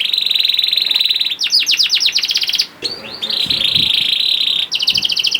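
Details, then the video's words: A young canary's lure song for getting reluctant canaries singing: dense buzzing roll, then a burst of rapid descending sweeps, a brief pause, another long harsh roll and a closing fast trill. "PANCINGAN KENARI PAUD TERBUKTI AMPUH MEMANCING KENARI SUSAH BUNYI IKUT GACOR"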